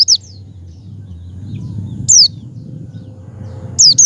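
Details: High, thin, falling whistles of a Javan white-eye, meant to get a pet bird to open its beak and sing: single notes spaced about two seconds apart, ending in a quick pair, over a low constant hum.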